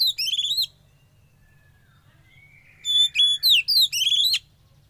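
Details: Young wild-caught Oriental magpie-robin, kept during sauna therapy, opens with a quick run of rising whistled notes, pauses with a soft trailing tone, then bursts into a rapid series of loud clear whistles and sweeping slurred notes.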